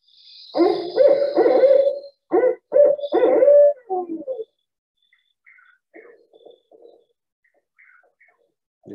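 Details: Barred Owl in central Alabama giving very loud, rhythmic hooting phrases in a rapid series, then quieter, softer notes; a Chuck-will's-widow calls faintly in the background.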